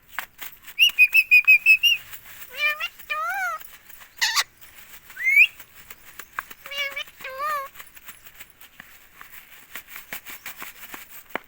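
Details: Talking pet ringneck parrot from India repeating "mummy": an opening burst of pulsed, buzzy tonal notes, then several pairs of chevron-shaped voiced syllables rising and falling, followed by a long stretch of faint clicking.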